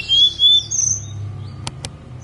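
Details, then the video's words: Snowy-browed flycatcher singing on Songgo Langit mountain: a thin, high whistled phrase sliding across two pitches in the first half-second, then quiet hum and two brief clicks. "KICAU TLEDEKAN GUNUNG SONGGO LANGIT"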